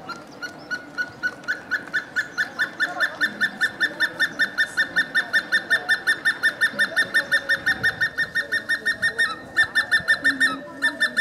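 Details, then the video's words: Hemprich's hornbill recorded in Ethiopia, a long run of quick repeated piping notes, nearly three per second, building in strength, briefly faltering, then resuming louder near the end; soft low rumble behind. "Hemprich's Hornbill Calling and Singing"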